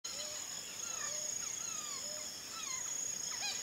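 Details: Turquoise-fronted amazons in the Pantanal give a busy, overlapping chatter of slurred, rising and falling squawks and whistles, several a second, over a steady high insect hiss.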